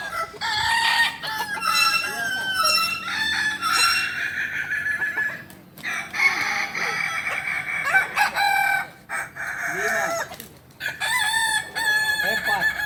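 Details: A chorus of kukuak balenggek roosters at a joint crowing practice in Panyakalan, Solok: long, overlapping stepped crows rising and falling, repeated with brief gaps, loud and continuous throughout.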